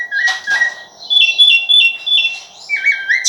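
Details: Rufous-bellied thrush singing clear whistled phrases: short high notes, then a run of level and slightly wavering whistles, ending in a steady lower whistle; quiet background.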